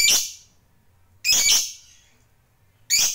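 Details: Fighter lovebird giving long, harsh, grating squawks, three in three seconds, each trailing off slowly, over faint low room noise.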